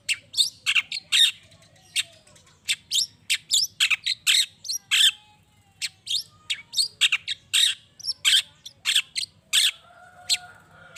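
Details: Long-tailed shrike in full, vigorous song meant to provoke other shrikes into answering: a fast, uneven string of sharp, high, harsh chirps and squawky notes, about two each second, over a faint low hum.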